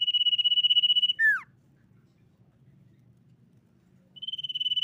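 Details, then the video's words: Common iora singing a fast, high, even trill, then one quick downslurred whistle; after a pause of about three seconds the trill returns, over a faint low hum. "SIRTU GACOR MEMANCING LAWAN BUNYI"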